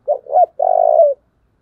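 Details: Powerful 'thổ' voice of a spotted dove, a standard model for decoy luring: a short note and a rising swelling note, then a long, loud, pulsing coo ending with a slight upturn; clean and quiet.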